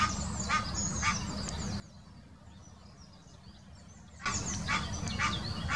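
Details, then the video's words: Egyptian goose mating call recorded in the Wittlicher Senke in 2018: rasping honks in quick bursts at the start and end, with a quieter gap of faint small-bird chirps between them. "Der Paarungsruf des Nilgans"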